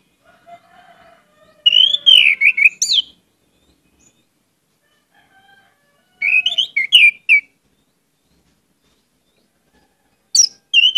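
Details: Orange-headed thrush lure song packed with isian: bursts of rich, varied whistled and chattering phrases separated by several seconds of silence, plus a faint lower whistle.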